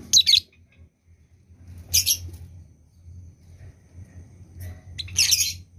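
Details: Lovebird in breeding condition, giving three short, shrill, screechy chirp bursts spaced two to three seconds apart, each a harsh high-pitched cluster, over a low steady hum.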